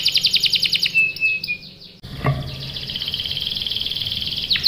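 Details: A canary, in a recording used as a lure to prompt other canaries to answer and roll, sings bright repeated high chirps and a short trill, then a long, fast, buzzy roll without pause.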